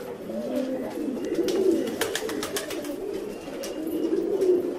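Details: Fancy pigeons coo steadily in low, throaty, overlapping rolls, several birds at once, with scattered wing flaps and clicks.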